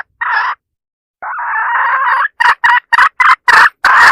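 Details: Domestic hen used as a decoy to attract roosters, cackling: a short burst, a long drawn harsh note, then a quick run of clipped cackles repeated several times a second, in a clean, quiet recording.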